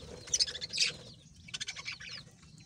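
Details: Budgies singing: short bursts of high, scratchy chirps and rapid twittering sweeps, with a brief pause before a second run of quick clicks and tweets.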